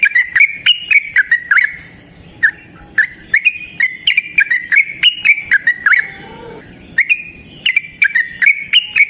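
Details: Yellow-vented bulbul singing a prolonged rolling wild song, played to draw other bulbuls into singing. Fast bubbly chirps come in runs broken by short pauses, and a faint lower whistle appears briefly near the sixth second.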